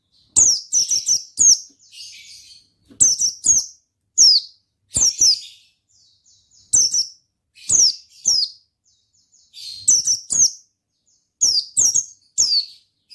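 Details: Oriental white-eye sings in the energetic ngalas style, used to coax other white-eyes into song. Clusters of two or three piercing, downslurred chips repeat every second or so, with brief soft twittering between bursts.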